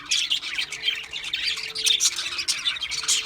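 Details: Parakeets, budgerigars, chattering steadily: dense overlapping chirps and scratchy warbles without pause, with a faint steady tone beneath.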